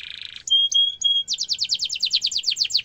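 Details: Canary tutor song with sharp rolling, aimed at young canaries: a buzzy burst, three clear steady whistles, then a fast, even trill of rapid high notes.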